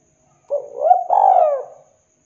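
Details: Low, mellow coo of a spotted dove, used as a lure for wild doves. A brief first note leads into a rising middle and a drawn-out, gently descending hoot, all in quiet surroundings.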